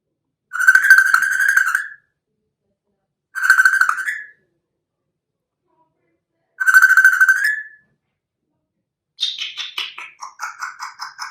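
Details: One-year-old African grey parrot at home producing three loud, sustained flat whistles each ending in a short upward lift, followed by a quick burst of falling chirps.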